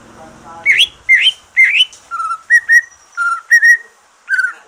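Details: Green leafbird after moulting, kept as a cage bird and used as a stimulus for others: three loud rising whistles, then paired flatter notes and short downslurs, with a faint low murmur at the start.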